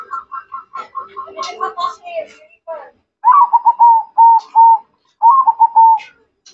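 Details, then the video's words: Zebra dove singing actively: a run of quick, evenly spaced cooing notes near one pitch, then a tangle of lower and higher notes, then two clipped bursts of rapid rolling coos separated by short pauses. "Perkutut Mocca Gacor"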